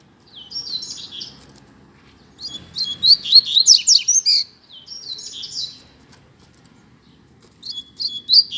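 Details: Coleiro (double-collared seedeater) in a song contest: four phrases of rapid, high, tinkling and buzzy notes, the second one longest and loudest, separated by brief quiet spells.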